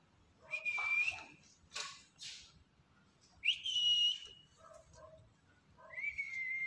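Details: A talkative pet black-capped lory that likes to bob its head as if dancing gives three long, clear whistles, each rising sharply then holding steady, with short, harsh, scratchy squawks between them, amid speech-like "halo, kakak" calls.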